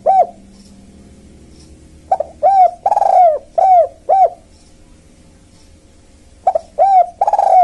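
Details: Spotted dove used to lure wild birds, giving repeated phrases of soft arched coos, several quick notes with a longer rolling one in each, separated by short silences.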